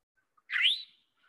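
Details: Eastern towhee (Pipilo erythrophthalmus) giving its namesake call, a single clear, rising, slurred "to-whee" about half a second long, recorded in breeding season with a prairie warbler calling in the background.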